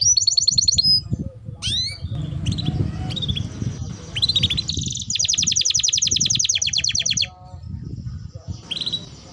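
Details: Lively canary song used as a lure to stimulate other canaries to sing: high sweeping notes, then a long dense buzzy trill and fast repeated chips, over a steady low rumble.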